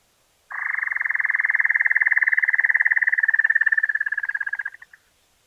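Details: Giant Antshrike in Argentina: a long, rapid, even trill of clipped notes, about four seconds, holding steady in pitch, then slowing and fading into a few separate notes at the end.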